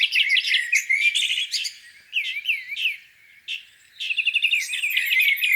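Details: Spring morning songbirds beside a lake: bursts of bright warbling and slurred rising whistles, broken by short quiet gaps, then fast stuttering trills.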